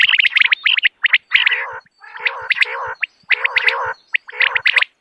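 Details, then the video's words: Common quail in the morning, a calling recording for hunting: bursts of quick high chirps alternate with lower, rough, buzzing notes, in clusters separated by short silences. "Morning Quail Call 2025 صوت السمان واضح للصيد Batair Ki Awaz"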